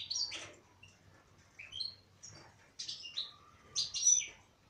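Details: European goldfinch, a female, gives short twittering phrases of high, liquid chirps and a sliding note, roughly one burst per second, with quiet gaps between.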